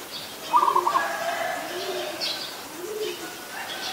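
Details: Adult zebra dove, Ubon Ratchathani, Thailand, 24 December 2020: a brief stuttering trill of clipped coos near the start, followed by softer, lower drawn-out coos and distant bird chirps.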